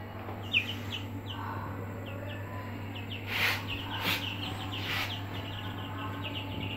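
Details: Aseel chicks in a brooder give faint, high, downslurred peeps in a loose repeated series, with a few louder broadband bumps and a steady low hum underneath.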